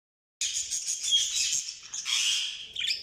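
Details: Budgerigars chirping: a continuous, dense, high-pitched chatter of warbling and squeaky notes that starts abruptly and runs without pause, with no other clear sounds.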